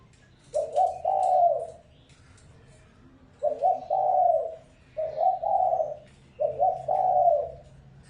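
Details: Decoy spotted dove repeating four deep, gentle coo phrases across several seconds, each a rapid stuttered opening slurring into a sustained, slightly falling coo, with short quiet gaps between.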